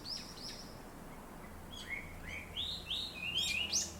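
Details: Birds in a large black locust tree beside a town house start with two thin high notes, then build into rising, quickening chirps that grow louder at sunrise.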